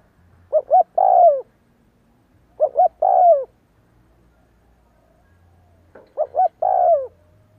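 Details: Repeated cooing of a spotted dove, a decoy-training call heard all day: three phrases, each two quick hoots followed by a drawn-out falling coo, spaced roughly every two and a half seconds over faint low hum.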